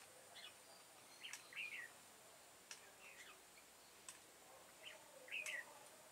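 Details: Red-whiskered bulbul ('devil-face' type) singing on 22 September 2018 while being trapped with a decoy bird: soft, fairly distant chirpy warbled phrases repeated every second or two, with sharp clicks and steady background hiss.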